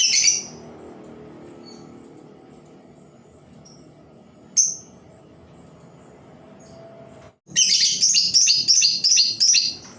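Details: Labet bird used as a lure bird to entice other labet birds to sing: a few isolated sharp high notes, then a dense run of rapid, harsh high chattering phrases repeated quickly over the final seconds, with low background hum.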